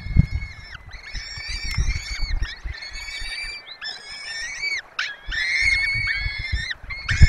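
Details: Webcam recording of a peregrine falcon nest in the Barycz Valley, Poland, with adults feeding four chicks: repeated sustained harmonic wails in long bouts, some bending downward at the ends, with low bumping sounds beneath.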